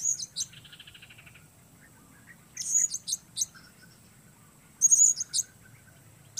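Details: Blue-crowned hanging parrot performing alone amid the weather: spaced bursts of piercing high-pitched chirps and thin whistled squeaks, a short buzzy rattle early on, then quiet gaps between each burst.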